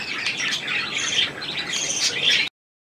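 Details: Budgerigars calling while bathing in an indoor budgie room: rapid warbled chatter mixed with sharp chirps and brief squawks, steady and overlapping, ending abruptly after about two and a half seconds.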